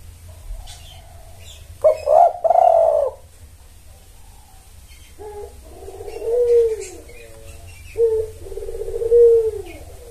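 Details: Spotted dove lure recording aimed at calling in males: a loud triple coo, a pause, then a longer series of mellow, descending coos, a short stutter and a final drawn-out coo.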